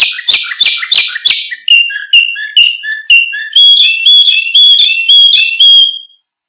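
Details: Canary song meant for training other birds: loud buzzy trills at first, then lower whistled phrases, ending in a fast, bright repeated trill with high overtones.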